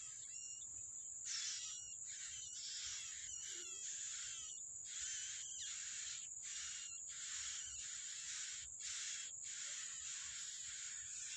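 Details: Feeding its young in the wild, a yellow-bellied prinia gives rapid rasping, high bursts separated by brief pauses, with a few slurred whistled notes, all above a continuous shrill insect-like hum.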